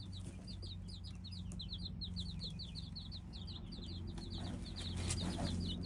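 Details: Several hybrid chicken chicks cheeping in quick succession, with high descending peeps repeated several times a second over a steady low hum.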